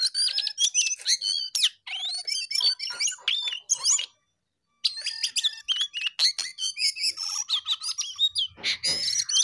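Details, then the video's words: Jongkangan in full, vigorous voice: long runs of fast, varied high whistles, trills and slurred notes, with a brief silent gap midway and a short low rustle near the end. "Jongkangan GACOR DOOR"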